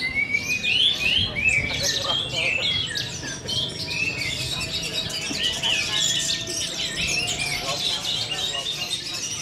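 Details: Captive orange-headed thrush delivering teler-style contest song: rising whistled slurs at the start, then a rapid, busy run of sharp chirps, trills and squeaky notes with hardly a break.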